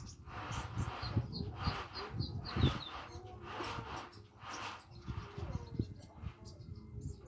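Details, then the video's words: Young olive-backed sunbird practising its song, still shy. Short, thin, high chirps come in quick loose runs, separated by brief pauses, over a steady low rumble in the background. "konin latihan bunyi masih malu malu"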